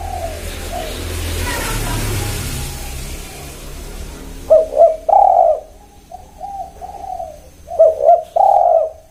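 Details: Spotted dove calling after about four seconds of broad rushing noise: two hoarse, low cooing phrases follow, each a short double note and then a long coo, with softer coos in between.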